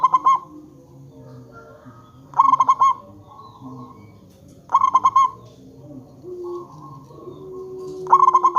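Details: A local zebra dove used to coax other zebra doves into calling back gives four rapid, rippling coos of about five notes each, roughly every two and a half seconds, with faint low tones between.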